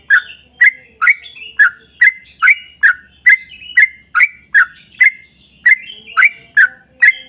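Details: Yellow-vented bulbul in lively long-run song used to draw similar birds into singing; crisp warbled notes repeat evenly, roughly two to three each second, with a short pause near the six-second mark.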